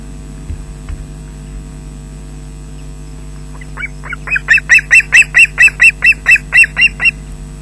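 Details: Osprey on a webcam-watched Scottish nest at Loch Garten, 20 June 2012, as the male brings fish to the chicks: after quiet, a rising series of loud, sharp whistled yelps repeated about twice a second over electrical hum.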